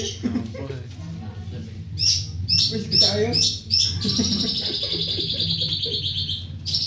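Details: Long-tailed shrike giving a series of short sharp whistled notes, then a long fast chattering warble, while people talk in the background over a low rumble.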